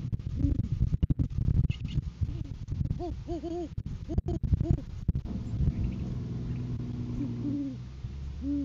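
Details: Courting-season great horned owls as the male delivers a food gift to the female; quick bursts of arched hoots, some doubled, then longer drawn-out hoots later, with low rumble and scraping sounds throughout.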